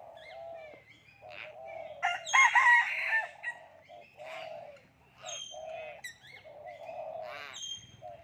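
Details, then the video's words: Common hill myna speaking human language, a string of nasal, word-like syllables with a loud raspy burst near the middle, clipped whistled notes, and uneven pauses between phrases. "common hill myna speaking human language"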